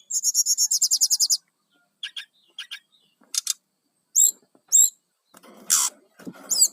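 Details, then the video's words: Brown-chested jungle flycatcher song used to lure wild birds, opening with a fast even series of about twelve high notes, then scattered clicks, short buzzy notes and looping whistled phrases. "GACORNYA BURUNG SIKATAN RIMBA DADA COKLAT//SUARA BUAT PIKAT SRDC LIAR"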